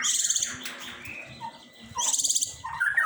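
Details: Long-tailed shrike producing two short bursts of harsh, rasping chatter about two seconds apart, each followed by softer squeaky notes, with a quiet hum behind.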